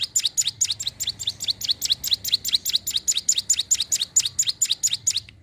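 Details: Sunda warbler song used as a lure for wild birds: a steady, rapid series of sharp high descending chirps, over two per second, continuing without a break and with faint low background hum.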